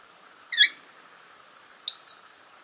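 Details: Masked lovebird kept as a pet murmuring while asleep: one squeaky chirp, then after a pause a quick pair of thin high peeps, over a quiet background.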